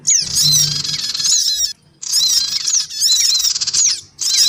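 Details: Black-winged cuckooshrike lure calls from both sexes and young: three blocks of scratchy, buzzing chatter with sliding squeaks, split by short silences.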